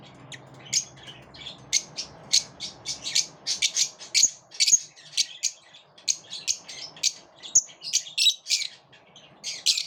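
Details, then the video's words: Lovebirds living as a group yet repelling each other; steady stream of shrill, piercing chirps repeated roughly every half second, harsh and squeaky, in a small room. "Birds like to live in groups, but they also repel each other"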